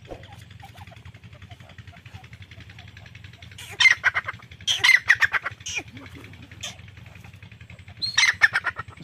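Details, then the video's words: Grey francolin calling: loud, harsh, ringing bursts of rapid repeated notes, three bouts spaced a few seconds apart, the second longest, over a steady low mechanical hum. "Irani Teetar ki awaz || grey francolin Teetar Calling"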